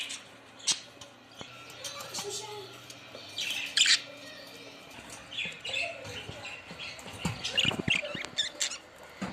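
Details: Budgerigars chirping in scattered, scratchy bursts, with some louder squawks and rattling notes, over background rustling and faint low sounds.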